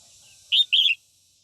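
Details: A female red-whiskered bulbul sings at dawn to provoke white-cheeked males, offering a short clear note followed by a warbled second note that wavers slightly, against faint background hiss.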